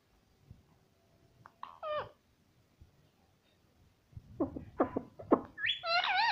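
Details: Pet ring-necked parakeet talking indoors, saying "mummy": sparse soft sounds at first, then a run of short harmonic squawky syllables and a rising, warbling utterance.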